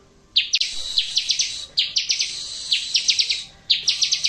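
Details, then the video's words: Bar-winged prinia song, used as a recording to get birds that have stopped singing to answer: three bursts of rapid, sharp, high chipping notes, each burst over a thin steady high tone. "Masteran pasti langsung nyaut !! Cocok untuk ciblek macet bunyi!!!"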